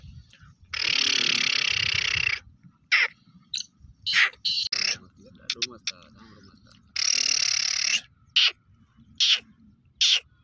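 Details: A pet black francolin gives loud, harsh, grating calls: two long rasping bursts of more than a second each, with short clipped notes between them.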